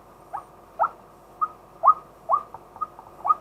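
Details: Male White-breasted waterhen calling by day as a decoy, recorded live with a fixed camera: soft, irregularly spaced short upslurred notes, some doubled, against a quiet background.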